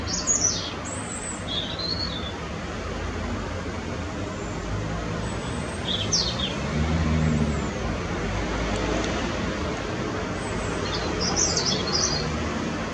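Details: At 6 pm, a European robin sings thin, high, wavering phrases in short scattered bursts, several times over, above a steady rumble of road traffic.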